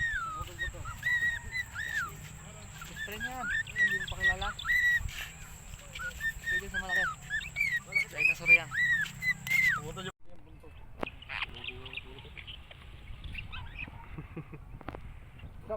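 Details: Cockatiel (Nymphicus hollandicus) during a Sunday free flight sings a run of clear, warbling whistles that rise and fall, with people talking nearby.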